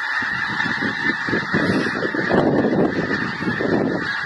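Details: Migrating geese in a flock, honking in a dense, steady chorus of overlapping nasal calls throughout, with louder honks swelling near the middle.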